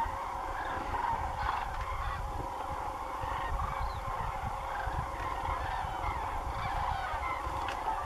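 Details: Common cranes in a big flock passing over agricultural fields next to Doñana National Park at dusk, many birds calling at once in a steady, noisy babble of bugling notes over a low rumble.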